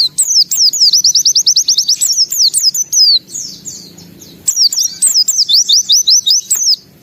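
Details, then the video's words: Kept white-eye singing with open beak, showing its repertoire: rapid strings of sharp, repeated looping high whistles, about two to three per second, broken by a brief quiet gap before resuming. "Suara Burung Pleci Gacor Buka Paruh Bongkar Isian"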